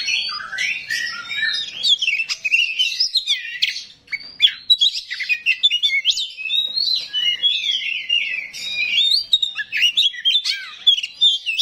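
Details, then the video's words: Oriental magpie-robin, a kacer rawit, singing a rough, varied song packed with mimicked phrases: rapid chirps, rising and falling whistles and harsh notes tumbling together almost without pause. "KACER RAWIT BONGKAR ISIAN KASAR, BIKIN KACER LAIN PASTI NYAUT"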